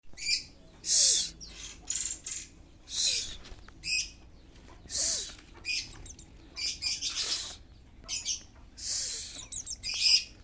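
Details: Oriental magpie-robin (kacer) in full breeding condition, described as kembung and mbagong; loud harsh, hissing bursts alternate with short sharp chirps and brief whistled notes, roughly every one to two seconds, with quiet gaps between.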